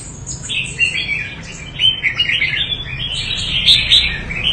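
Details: Red-whiskered bulbul of Quảng Nam stock from the Đại Quang area, Vietnam, delivering lively, tumbling whistled notes and short chirpy bursts in a continuous run, over a faint low background hum.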